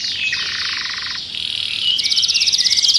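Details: Raging canary inside a cage giving sustained buzzy trills, a lower rattling section dropping off, then a fast high pulsed trill.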